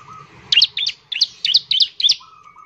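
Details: ['Bar-winged prinia singing to urge other birds to sing: about six loud, sharp paired chirps, followed by a soft, level whistle at the end.']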